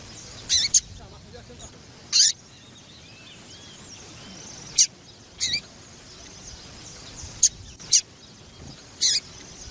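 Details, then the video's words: Female double-collared seedeater call meant to excite the male into singing: piercing high chirps in short bursts, some doubled, spaced one to two seconds apart, over faint twittering and thin whistles from other birds. "Fêmea de Papa capim piadeira para Esquentar Papa capim"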